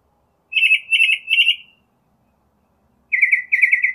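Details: Northern mockingbird repeating a trilled chirp three times, pausing, then switching to a slightly lower version, also repeated three times.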